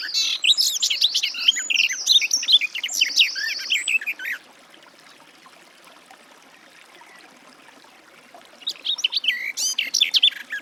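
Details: Garden warbler song: a long, rapid warbling phrase of varied chirps and rolling notes for about four seconds, a pause of quiet, then a second phrase beginning.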